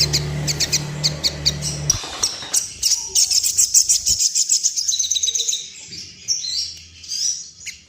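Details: Sooty-headed bulbul in breeding condition, calling in a way said to set others wing-quivering and displaying: quick high chirps repeated about three times a second over a low hum, then softer scattered high notes.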